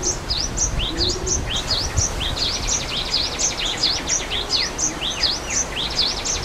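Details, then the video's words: Java sparrows in nature near a waterfall give a rapid series of high, sharp V-shaped chirps, about one and a half per second, overlapping among several birds over constant water noise. "Suara Air Terjun dan Burung Gelatik di Alam"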